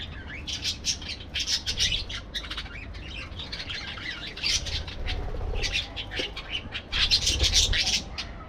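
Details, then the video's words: Parakeets kept in an aviary chatter in rapid, busy bursts of harsh chirps and squawks, several birds at once, with pauses between the bursts and a low rumble behind. "parakeet sounds"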